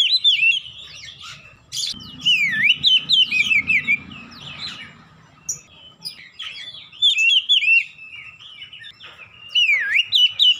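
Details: Oriental magpie-robin in full song, played to make a silent bird sing: long sequence of varied whistled phrases with V-shaped swoops and twittering notes, loud bursts recurring every second or two, brief low rumble early on.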